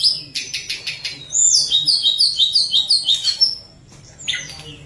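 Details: Tledekan gunung singing actively in flute-like phrases, intended to coax lazy birds into song: opening high chirps, then about ten rhythmic downslurred whistles, a pause, and one closing note.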